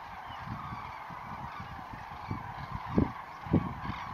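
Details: At dawn on 19 November 2016, a flock of common cranes lifts off Lac du Der. Many birds give a soft background of honking calls, and two louder trumpeting notes near the end stand out.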